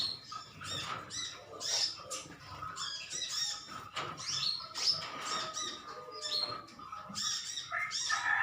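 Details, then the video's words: Metallic greenish sunbirds, a colony squabbling with chirps: rapid, uneven bursts of high, sharp notes from many birds, some sweeping downward. "Koloni burung konin metalik ijoan saling adu nyrecet"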